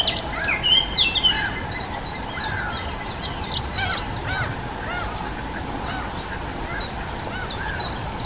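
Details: Dunnock from the Czech Republic, a secretive bird of thick bushes and herbage, giving a fast, scratchy warble of high tinkling notes in short bursts, with a faint steady hum beneath.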